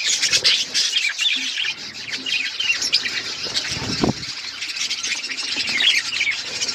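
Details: Pet budgerigars chirping and chattering, a dense continuous mix of many quick high twittering notes and squawks from several birds, with a brief low thump near the fourth second.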